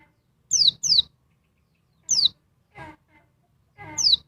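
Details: Female oriental white-eye, Dakun Bali type, calling loudly to excite a male: sharp, high, downward-sweeping chirps, paired at first and then single, with one softer lower buzzy note in between.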